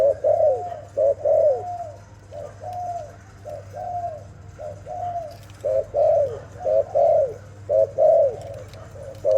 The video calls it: Sound of lovely dove